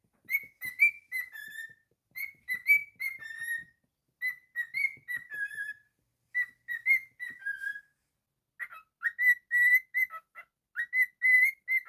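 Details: Pet cockatiel whistling a repeated melodic phrase of rising and falling notes, the pattern restarting several times, then a faster series of clipped whistles; clean, ringing tone throughout.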